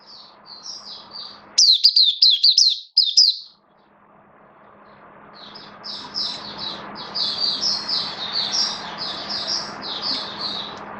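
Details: Oriental white-eye kept as a hobby bird, 11 September 2022, form dipped slightly; a sharp, fast chirping burst near the start, then quieter repeated high notes over rising broadband background noise.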